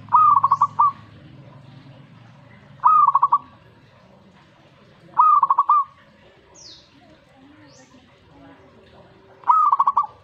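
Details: Zebra dove song in reaction to a master recording, with four evenly spaced phrases, each a bright note breaking into a rapid string of coos. Faint chirps appear between phrases.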